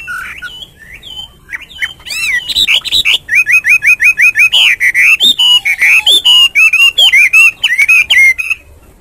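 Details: Hwamei singing in the morning: scattered whistles build into a fast rhythmic series of repeated whistled notes, followed by flowing rising and falling whistled phrases.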